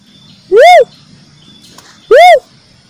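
A cuckoo-dove gives two low, hooting notes that rise and fall, about a second and a half apart, over a faint background hum.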